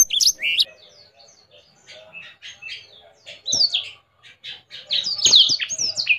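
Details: Blackthroat in vigorous song with wings spread: loud high downslurred whistles open the passage, fade into softer, lower warbling, then return strongly, with a few sharp clicks or taps.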